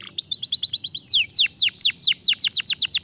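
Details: Canary singing, meant to prompt other canaries into song: rapid, regular series of sharp descending whistled notes, about four per second, bright and clear throughout.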